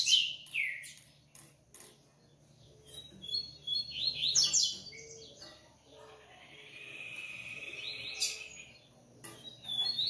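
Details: Double-collared seedeater (coleiro) from a Brazilian breeding aviary. Quick descending whistles and high chips are mixed with sharp clicks and a steady background hum, and a buzzy sustained phrase comes midway.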